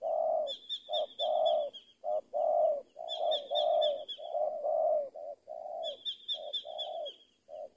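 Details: Lure-trained spotted dove cooing loudly in rapid, nearly continuous short-long phrases, with repeated high whistled trills from another bird breaking in over it.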